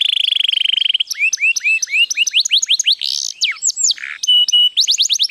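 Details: White canary in full song, opening with a very rapid buzzing trill, then a run of upslurred chirps, falling whistles, a low harsh burst and a final fast series of rising notes.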